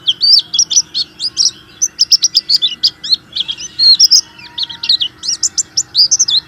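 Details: Energetic warbling white-eye song used to provoke reluctant white-eyes into singing: a continuous tumbling stream of high, rapid twittering and chirped notes, varied and unbroken for several seconds, with a faint low hum behind.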